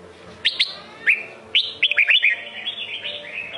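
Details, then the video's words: Red-whiskered bulbul of the Sông Kôn type singing: bright whistled notes with quick rising and falling slurs, clustered in rapid bursts, then a softer warbled run toward the end. "Chào mào sông kôn hót cực hay cực đẹp"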